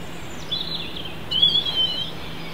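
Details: A European robin sings at Holywell Dene: two brief, thin, high warbled phrases, the second longer and wavering, over a steady low hum and background noise.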